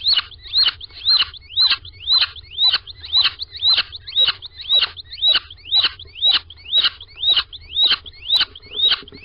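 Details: Squeaking little owl at its nest box, Sprundel, 13 February 2020, early morning when both birds of the pair went in. Steady run of thin rising squeaks, each clipped by a click, roughly two per second, quiet background.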